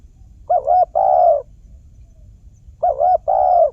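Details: Trapping-lure recording of a spotted dove: soft, slightly wavering coos, a short double note then a longer purring one, repeated after about two seconds with nothing else audible.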